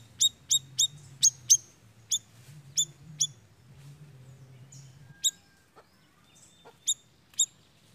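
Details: Siri-siri lure call to pull in birds: a fast run of about eight piercing chirps, a quieter stretch with faint scattered notes, then three more bright chirps spaced apart.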